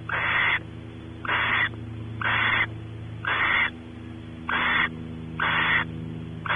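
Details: At Audubon Starr Ranch, California, a male barn owl explores the nest cavity while the female expects mating; seven short harsh hissing bursts follow at a near-regular pace of about one per second, with a constant low drone.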